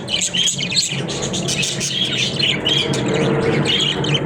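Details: Caged budgerigars at play, twittering warbles and clear chirps over a fuller background rumble, birds calling almost continuously.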